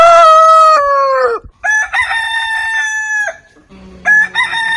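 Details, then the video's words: Crowing roosters of heritage chicken breeds: one loud crow that slides slightly downward at its end, then a second bird's flatter, sustained crow, with low background hum between. "Biggest ROOSTER CROWING compilation more than 100 heritage Rooster Sound ! Ayam Berkokok ไก่ขัน"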